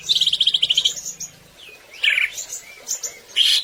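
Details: Greater green leafbird in full gacor song, played to get other birds singing; opens with a rapid trill of about ten even notes, then isolated sharp chirps and a bright whistled phrase, low hum underneath.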